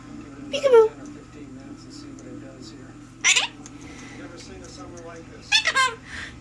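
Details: A pet male Monk (Quaker) parakeet gives three short, raspy, speech-like phrases, each about a second apart, over a steady indoor hum, amid morning greetings.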